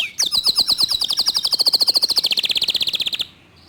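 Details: Clear-voiced local canary in rapid, tight 'tembakan' song: one upswept note, then a dense string of about forty quick high pulses that drop slightly in pitch before stopping cleanly.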